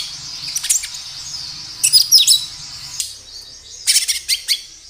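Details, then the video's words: Natural kinoi singing, meant as a lure to make kinoi respond: scattered high chirps, then a tight cluster of bright twitters, a short pause, and another quick chirping phrase near the end. "Suara kinoi gacor Suara alam pancingan kinoi agar bunyi"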